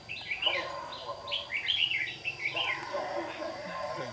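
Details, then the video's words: Red-whiskered bulbul, white-cheeked form, kept as a trapping decoy and singing in a morning duel on 26 June 2019 while flicking its tail. It delivers lively warbled, slurred phrases in short clusters with a thin constant hum behind. "Bẫy chào mào Má trắng đấu sáng cầu đánh đuôi như bổi già"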